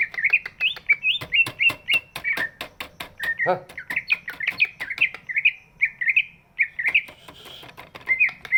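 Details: Large greater green leafbird in song, its voice meant to coax lazy birds to sing: quick chains of sharp, up-flicked whistles mixed with clicky notes, steady low hum in the background.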